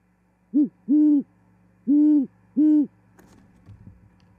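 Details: Great horned owl at an osprey nest in Charlo, Montana, on 18 January 2021, female arriving, singing and mating: four deep hoots, a short one then three long level ones, followed by faint rustling.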